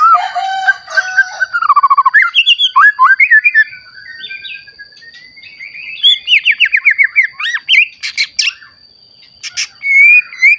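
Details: Newly matured white-rumped shama singing to provoke rival shamas: clear looping whistles, trilled rising sequences and rapid repeated notes in lively bursts separated by short quiet gaps, over a faint continuous high-pitched hum.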